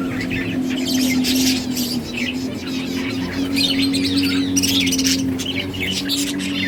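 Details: Budgies chirping while playing in a breeding colony: fast, scratchy twitters and chattering notes in waves, with a steady low tonal hum throughout.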